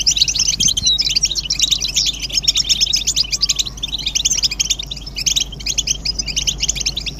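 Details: Group twittering of European goldfinches, presented as stimulation to make silent males sing. A packed stream of fast, high, metallic chirps runs without pause, with brief thinner moments near the sixth second.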